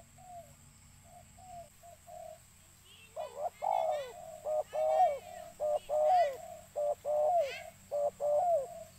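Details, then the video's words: Spotted dove calls for attracting birds: soft scattered coos at first, then a run of loud two-part coos, a short note and a falling longer one, mixed with higher chirping notes in the middle. "burung tekukur suara mp3"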